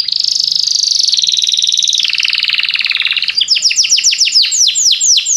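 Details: Belgian canary song used to set other canaries singing: a long, fast buzzy trill stepping down in pitch, breaking into a series of loud, downward-swept chip notes repeated about four per second.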